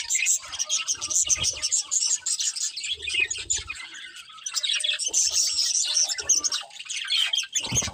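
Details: Budgerigar breeding pair, kept as pets, giving continuous high scratchy chirps and warbles that blend into a busy chatter, with occasional soft low knocks and rustling.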